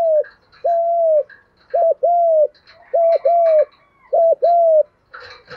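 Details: Male and female spotted doves giving thúc gù, gù đấu coos to stimulate birds in training; four two-part phrases of a brief note then a sustained even coo, with faint higher chatter in the background.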